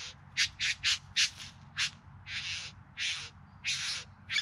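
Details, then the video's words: Bowerbirds singing during courtship display, filmed in September in the Yarra Valley near Melbourne, Australia: harsh, broadband chattering notes, a quick burst of short rasping calls followed by longer buzzy churrs, loud and close. "Bowerbirds Singing and Dancing"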